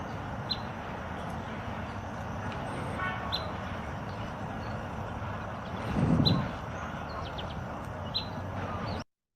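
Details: Hammond's Flycatcher giving its pip call, as heard in migration: single sharp, high pip notes spaced about every two and a half seconds, over a steady low rumble of background noise.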